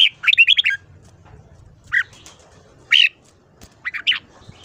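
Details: Red-whiskered bulbul singing in the morning, a 'ché' song meant to stimulate young birds to sing longer. A quick cluster of bright whistled notes opens, followed by single scattered chirps and a short warbled pair near the end.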